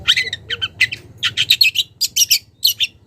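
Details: Young wild long-tailed shrike, calling a rival, gives a steady run of harsh, buzzy chattering notes in close pairs and triplets, loud and near.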